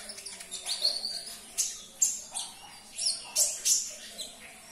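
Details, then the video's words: Sunbird (konin) song to stimulate a caged bird into singing: energetic, sharp, very high chirps and whistled sweeps, repeated in strong bursts about every half second. "Putarkan 1 menit saja video ini KONIN anda pasti langsung nyaut"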